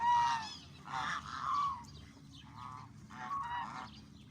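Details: Canadian ducks calling when hungry: nasal honks come in separate bursts about once a second, each a slightly falling note, with quieter overlapping calls from other birds between them.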